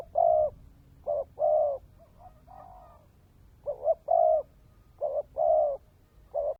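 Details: Spotted dove in the cu mồi đất kèm dày cooing style from Vietnam, delivering repeated low hollow coo phrases, each a short broken note followed by a longer level coo, several phrases in quick succession.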